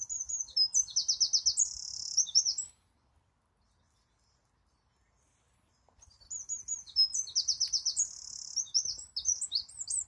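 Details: A wren singing two loud, rapid bursts of song, each about 2.5 seconds long and separated by a pause of about three seconds. Each burst holds high twittering notes, a fast trill and clear whistles, with faint low rumbling beneath.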